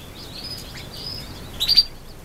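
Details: Brown quail chicks one day old, giving a faint high thin peep followed by a burst of two or three sharp high cheeps near the end, over steady low hiss.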